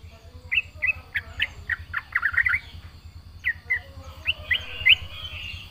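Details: Yellow-vented bulbul in 'isian' song, fairly quiet: irregular bright chirps and a brief twittering cluster, a pause, then further rising notes over a low hum.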